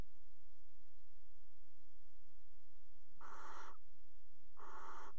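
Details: At a nest box in a water tower, a barn owl pair mates on the edge in winter; after quiet, two hoarse, hissing screeches about half a second long follow each other some 1.4 seconds apart.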